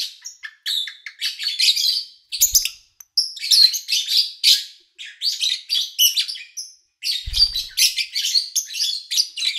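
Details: Captive lovebirds recorded in August 2019, with little engine or human noise around. Busy, overlapping shrill chirps and chatter run almost without pause, with two faint low thumps in the background.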